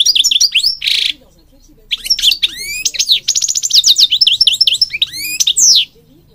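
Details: European goldfinch singing, kept to stimulate other birds; a dense run of twittering, rising and falling sweeps, a brief buzzy rattle and a rapid trill, high and lively.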